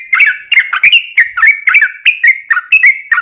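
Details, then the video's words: Energetic yellow-vented bulbul song, 'ropel' style, used as a calling lure for other bulbuls. Rapid bubbly chirps come three to four per second, each a short slurred whistle with a crisp attack. "trucukan gacor ROPEL PANJANG buat pancingan trucukan agar bunyi"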